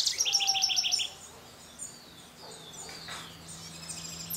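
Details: At Sachatamia Lodge, Ecuador, in May 2012, a Scrub Blackbird gives a fast burst of about eight sharp, high chipping notes in one second, followed by fainter whistled slurs over a low hum.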